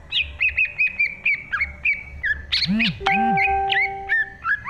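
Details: Green leafbird in lively 2023 song. Clipped whistled notes come in quick succession. A lower, harsher squawk-like sound with a steady tone cuts in midway, then the whistles resume.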